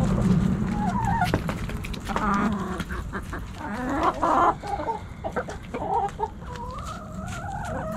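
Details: Backyard hens and roosters snacking on Thanksgiving: a flock's busy clucking, overlapping short harmonic calls and a few longer wavering notes rising toward the end, with low rumble and scattered clicks beneath.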